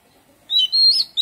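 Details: In a garden, an Oriental magpie-robin gives a short melodious fragment: a clear whistle dipping then held steady and rising slightly, followed by another note just beginning.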